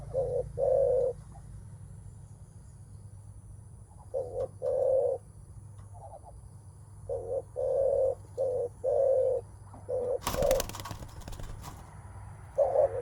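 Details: Spotted dove giving 'menguku' coos when meeting a rival, ahead of a strength contest, mostly males; scattered short low coos in small groups with long gaps, a sharp loud knock near the end, low hum throughout.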